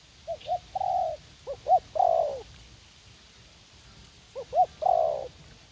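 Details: In a U Minh garden, a young wild spotted dove eager to fight gives repeated coo phrases to a decoy: two soft short notes, then bouncy hoots and a long, falling coo.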